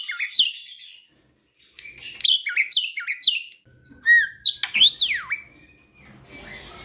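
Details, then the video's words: Young Asian pied starling learning to sing, lure recording: a few chirpy repeated notes, a long flat whistle, a loud swooping upslurred-downslurred call, then quieter hissy sound. "Jalak kebo muda belajar bunyi"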